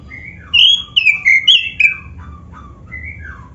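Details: Black-breasted oriental magpie-robin song, a lure to make other magpie-robins sing: loud clear whistled phrases sliding down, some notes rising, then softer trailing downslurred whistles, over faint low background hum.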